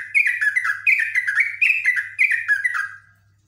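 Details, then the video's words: Yellow-vented bulbul kept in a cage, very excited, pours out a fast chattering song of rich, bubbling warbled notes in five tight bursts, then falls silent; a low electrical hum runs throughout. "NGEKEK!!! JOGJOG EMOSI TINGKAT TINGGI"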